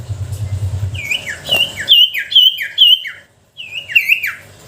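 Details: Sooty-headed bulbul lure song for provoking silent bulbuls to sing: a run of short, bright whistled notes, each slurring downward, with a thump early on and a brief pause before the last notes.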